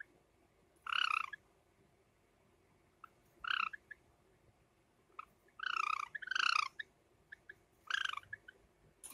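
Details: Two pet Java sparrows, light silver ino and sakura colour forms, indoors in summer, giving a series of short, buzzy, stuttering calls at irregular gaps of one to two seconds, with faint chips between.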